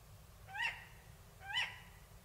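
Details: Two sharp, upward-sweeping calls about a second apart from a Tawny owl in Córdoba province, over a constant low rumble of background noise.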